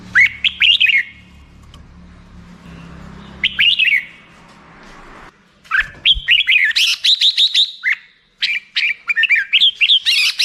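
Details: Lively black-crested bulbul song, starting with spaced warbled phrases and building into a long, dense run of rapid whistled notes.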